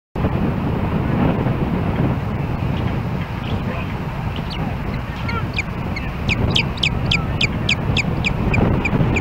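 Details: Osprey at a nest in Hellgate Canyon, Missoula, Montana, on July 4, 2016, calling as another osprey approaches, recorded by a nest camera: a quickening run of sharp, high, upswept whistled chirps in the second half over steady roaring wind.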